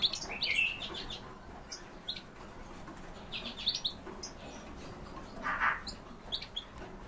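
Bohemian waxwings give thin, high, buzzy trills in short, scattered bursts, several birds calling together, with one lower, louder note near the end.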